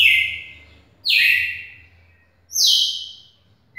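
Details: Red-cowled cardinal called Trovão, in a nearly two-minute record singing bout, gives loud, clear whistled phrases, each dropping in pitch and fading, about every one and a half seconds.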